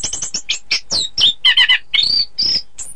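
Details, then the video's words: Orange-headed thrush (anis kembang) song, recorded for training birds for song contests: a fast, varied run of high chirps and sweeping whistles, some buzzy and some slurred downward, about two notes each second. "Suara Kicau Burung Anis Kembang"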